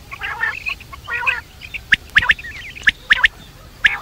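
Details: Quail (batair) night calling: two harsh, nasal squawks open, followed by sharp high chirps in pairs and a short trilled flourish, repeated about once per second.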